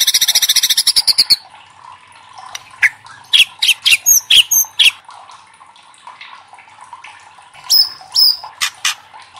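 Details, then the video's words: Loud White-rumped shama lure song to provoke other shamas to sing: opens with a rapid high rattling trill, followed by spaced sharp chips and short whistled notes. "SUARA LANTANG MURAI LAIN JADI IKUT TERTANTANG BUNYI | Pancingan murai batu bikin gacor ngeplong"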